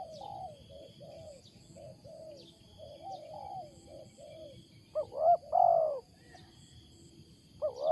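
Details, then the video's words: Wild spotted dove calling with an unusual coo: a series of soft, short low coos, then a loud phrase of a rising note and a long descending coo, and another loud start at the end. "BURUNG LIAR SUARA BESAR || MENGUKU NYA ANEH"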